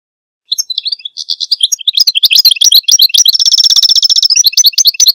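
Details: Goldfinch singing a long unbroken phrase of high twittering chirps that speeds into a dense, rapid metallic trill before returning to varied liquid notes.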